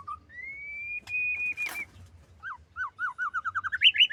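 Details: Female white-rumped shama calling: a sustained, slightly rising pure whistle, a soft flutter, then a quickening series of short looping whistled notes climbing higher at the end.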